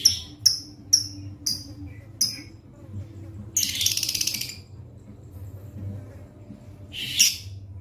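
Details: Pastel-coloured lovebird out in the sun: five evenly spaced shrill chirps, followed by one long grating squawk and a final harsh chirp, over a steady low hum.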